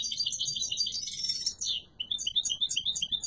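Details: Yellow mutation European goldfinch: a dense, ringing high twitter for about one and a half seconds, a brief lull, then a string of quick, clipped chirping notes.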